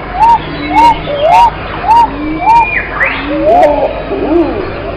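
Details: Repeated bowed coos from a pigeon, evenly spaced at first, then overlapping notes in a busier burst, with a steady noisy hum and brief clicks behind.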